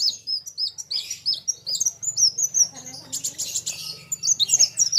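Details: Kolibri wulung sunbird singing against a rival: looping high whistled chirps in quick succession, then a burst of scratchy twittering, over a steady low hum.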